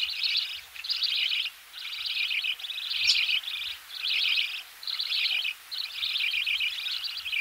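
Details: Budgerigar chicks in the nest being fed, heard close: repeated scratchy, high chattering bursts about one per second, separated by brief gaps, with faint low knocks underneath.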